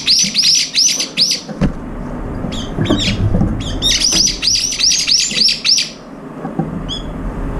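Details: A flock of brown-eared bulbuls eating and jostling over food, including one lame in the left foot; quick bursts of high, arching squeaky notes repeated in fast runs, broken by a pause and scattered harsh calls, with low rumble.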